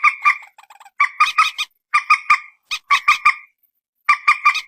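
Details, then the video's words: Common moorhen, known locally as peruk or mandar batu, recorded on a phone: bursts of nasal, honking notes repeated in quick clusters separated by short pauses. "suara burung PERUK/ MANDAR/ TIUNG"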